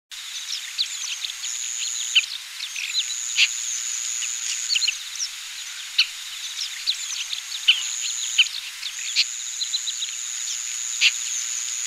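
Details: Oriental pratincoles, in Taiwan on 20 April 2016, give a dense stream of sharp, high chirps and clipped notes, many birds overlapping, over a steady high whine.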